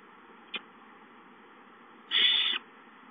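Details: Barn owl owlets in a nest, recorded 19 April 2013 as an adult brings a mouse at 8:19; a soft click, then a single harsh, breathy hiss lasting about half a second over a steady background hum.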